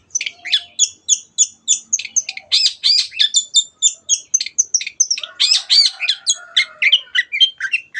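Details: Long-tailed shrike singing lively 'teot teot' song to spur other birds to sing: steady stream of sharp high chips, about three to four per second, mixed with richer buzzy phrases, a faint low hum behind.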